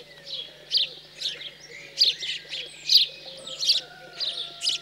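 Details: Fledged house sparrows being fed, central France countryside, 15 June 2020: loud rasping chirps roughly every half second to second, over a background of soft lower whistled notes from other birds.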